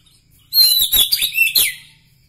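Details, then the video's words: White-rumped shama of the Medan Bahorok type (murai batu) gives one sudden, loud burst of very high, grating chatter with thin squeaky notes, lasting about a second before falling silent. "ciri ciri murai batu Medan Bahorok"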